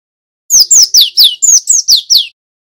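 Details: Male cinereous tit used to lure and train other tits, giving eight quick descending whistled notes in an even series, clean and loud with nothing else audible.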